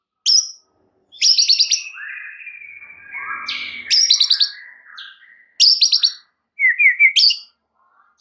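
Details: White-rumped shama song used to provoke rival birds: bursts of harsh, rattling high chatter alternate with long gliding whistles and a few quick looping notes, with brief silences between phrases.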